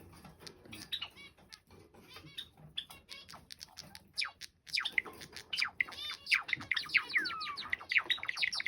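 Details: Two male pet Java sparrows, once parent and offspring, dancing together and singing in a duet; rapid clicking notes build into dense bell-like chirps and descending whistles, growing louder and fuller in the second half.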